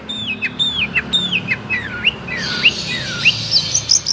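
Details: Long-tailed shrike singing a song filled with imitations of Cipaku and swiftlet: loud curved whistles, each dipping then rising, repeated about twice a second, later rising into higher sharp notes over a faint low hum.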